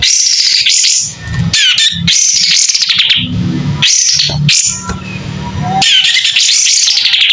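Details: A White-rumped shama in full song with its tail opened, its voice clear. Bright, looping whistles and quick slurred notes come in bursts with brief gaps, over a soft low rumble.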